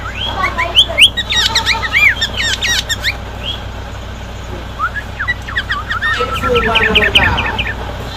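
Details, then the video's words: Loud song of a six-year-old sooty-headed bulbul: rapid bursts of bright, chirpy notes over about three seconds, a short pause with a few scattered notes, then another fast run of repeated chirps, with a low steady hum underneath. "CUKUP NYARING !! Suara Burung Kutilang Berumur 6 Tahun."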